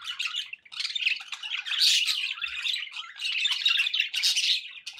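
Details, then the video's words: Pet budgerigars chatter continuously, a dense mix of warbling chirps, squeaks and scratchy notes with hardly any pause, and a brief lull near the start. "budgie sounds"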